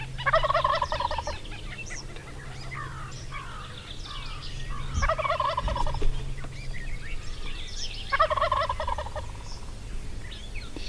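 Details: Call-shy wild turkey longbeard tom in Nebraska, hunted without calling or decoys: three loud, rattling gobbles, each about a second long, near the start, middle and end, with small songbirds chirping between them and a low steady hum.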